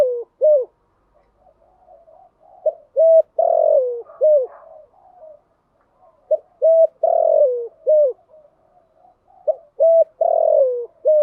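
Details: Spotted dove decoy calling to bring in doves, series of short clipped coos and longer descending coos in three groups about three seconds apart, soft murmuring between.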